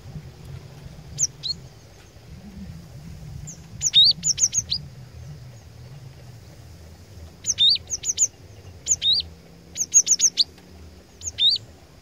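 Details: Scattered, softer bursts of high whistled notes from a gelatik batu (cinereous tit) decoy, in groups of two to four, spaced by quiet stretches over low background hum.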